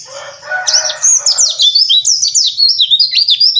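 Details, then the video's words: Oriental white-eye (pleci) rough ngeriwik chatter meant to spur birds into singing: after a short lower buzzy sound, rapid high chirps with steep up-and-down sweeps repeat densely. "PANCINGAN PLECI AGAR NGERIWIK KASAR"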